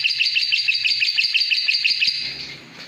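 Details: Lovebird repeating clear, bright two-part chirps in an even rhythm, roughly six per second, for two seconds before the sound fades away.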